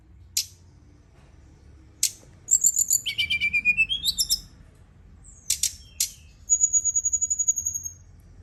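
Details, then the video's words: Brown-chested jungle flycatcher singing by night as a lure: isolated sharp clicks, a rapid series of about a dozen repeated notes with sliding whistles, then a thin high trill. "Pancingan & Terapi Burung SRDC dimalam hari biar tambah GACOR & CEPAT NGEPLONG"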